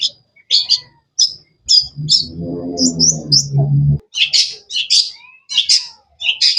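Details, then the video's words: Cendet (shrike) giving high, quick, sharp chirps in short bursts throughout, several per second at times; a low, voice-like sound runs for about two seconds midway. "Bird chirping sounds"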